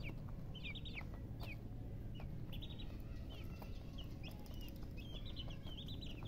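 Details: Chicks peeping in scattered clusters of shrill, falling notes, separated by quieter gaps, with a constant low background hum throughout.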